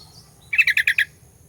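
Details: Sooty-headed bulbul, recorded as a lure to provoke rival birds, gives a quick run of five even, bright chirps in under half a second over a soft low background rumble.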